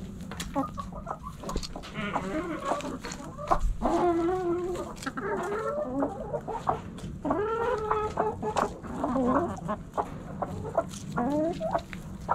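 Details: Backyard hens relaxing in the coop, several birds clucking and murmuring in wavering, harmonic phrases that rise and fall, some drawn-out, with scattered clicks and scratching throughout.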